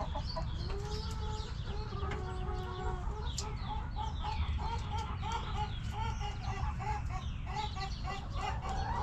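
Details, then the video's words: Backyard chickens relaxing in their coop give low, short clucks and a drawn-out droning note, while thin chirps and whistles from small wild birds sound overhead. "Back Yard Chickens Continuous Footage! Rooster Crowing! Hens Clucking!"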